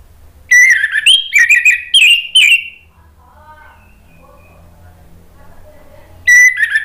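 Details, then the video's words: Orange-headed thrush song from Indonesia, meant to make other thrushes reply; a run of loud slurred whistles, a quieter stretch with faint low sounds, then a final bright note. "bikin ANIS MERAH lain jadi ikut NYAUT NGEPLONG ¦ PANCINGAN AM ¦ TERAPI MACET"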